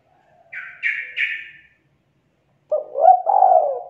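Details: Spotted dove calling as a trapping lure, with three buzzy, higher-pitched notes first, then a short silence and a low, rolling coo phrase.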